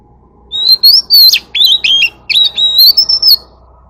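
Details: White-rumped shama in "forest voice" song, calling the flock: a burst of bright whistled notes, sweeping up and down, with quick chips and trills, delivered in two tight phrases with a faint low hum behind.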